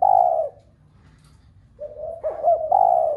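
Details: Spotted dove cooing to encourage other doves to call: a sustained low coo, a gap, then soft hoots overlapping a second bird's quick notes, ending in another long coo.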